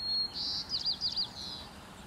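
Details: A Short-billed Dowitcher, an early fall migrant at Magnuson Park in Seattle, gives a quick run of three high, wavering notes over a steady thin whine, probably an insect, in a quiet setting.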